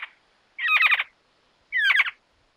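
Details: Two harsh, rasping squawks from a Giant Antshrike recorded in Argentina, each about half a second long and separated by a brief silence.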